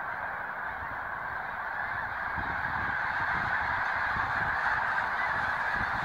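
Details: At Green Lane Park in Pennsylvania, thousands of Snow Geese on February 23, 2019 keep up a seamless din of honking calls that grows a little louder after the first couple of seconds.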